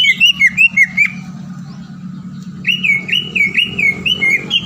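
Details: Green leafbird lure song aimed at making rival birds sing immediately: two bursts of rhythmic looping whistles, each note rising then dipping, separated by a quiet gap with low background hum.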